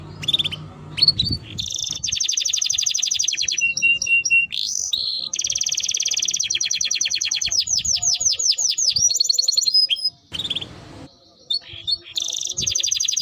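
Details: Timbrado canary song: a long sequence of rolling trills, clear whistles and rapid swept notes in shifting phrases, with brief breaks and faint low background sound.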